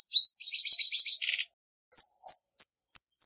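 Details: A short, harsh, buzzy trill that sinks in pitch at its close, then five evenly spaced, thin, high chirps. Clean calls of a female olive-backed sunbird, used to stimulate males.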